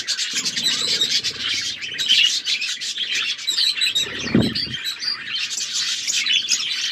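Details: A group of caged budgerigars in an aviary chirping and warbling continuously, high scratchy notes overlapping, with a short low thud partway through.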